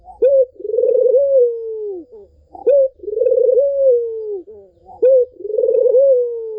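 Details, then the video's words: Barbary dove song used to lure a silent dove back into calling. A sharp brief note leads into a drawn-out, vibrating coo that sags at the end. The pattern comes three times in quick succession against a quiet background. "SUARA BURUNG PUTER MERDU"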